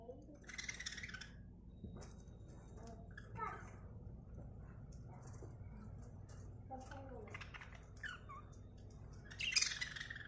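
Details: Budgerigars give scratchy, squawking chirps in short bursts over a low indoor hum while eating from a hand.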